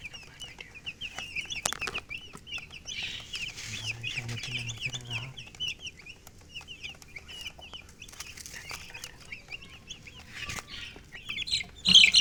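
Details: Colored chickens and hen in a steady chorus of thin, high-pitched peeps, many birds calling over one another without pause, with some scattered clicks and a brief low hum in the middle.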